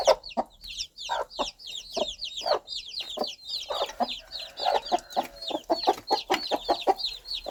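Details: A mother hen's rhythmic, caring clucks to her baby chicks, guiding them to food and safety. Low clucks come at a steady pace, partly overlapping a busy, high chorus of sliding chick cheeps.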